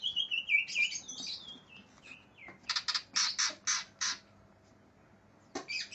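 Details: Greater green leafbird in an aggressive mood, seeking an opponent: a rapid run of descending whistles and chattering notes, then a series of evenly spaced harsh buzzy bursts, a pause, and a final rasp.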